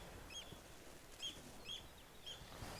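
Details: Eurasian oystercatcher, usually with a second one, on Grimsey Island, northern Iceland, in summer among nesting seabirds, gives four short, sharp, high piping notes at uneven intervals over steady wind noise.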